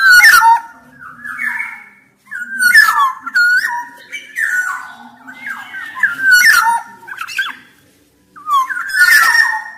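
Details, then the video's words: Black-naped oriole singing, loud fluty whistles with sharp downward slurs and harsh scratchy notes, phrases separated by short pauses, in a small room with a faint low hum. "Kepodang emas gacor"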